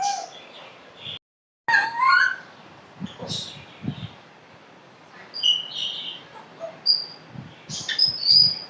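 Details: Talking pet African grey parrot produces a scattered mix of chirps, short squawky syllables and clear high whistles, some rising, with a brief silent gap early on. Soft knocks and low household noises sound between the calls.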